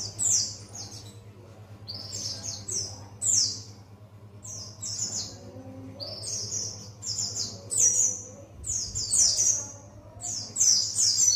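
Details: White-eye of the buxtoni type, learning wild songs; very high, thin, twittering phrases come in bursts every second or so, some buzzy and some sharply rising, over a steady low electrical hum.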